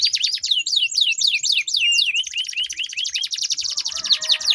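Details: Canaries singing against each other in long rolls to spur other canaries: a series of loud swooping V-shaped notes, then a fast dense buzzy trill.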